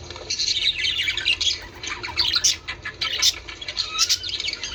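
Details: Budgerigars calling to stimulate breeding: repeated harsh squawks mixed with quick chirps and twittering, irregular bursts about every two seconds.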